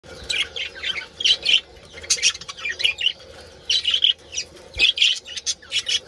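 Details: Colony of budgerigars giving mating calls: dense, overlapping high chirps and warbling chatter in rapid bursts from many birds at once, with a steady low hum underneath.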